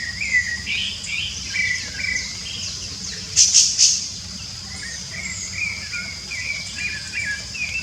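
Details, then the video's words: Free-living rufous-bellied thrush singing a long run of varied, warbled, slurred phrases without pause. A burst of loud high chirps sounds midway, over continuous high background hiss. "Sabiá Laranjeira Cantando Livre nanatureza!!!"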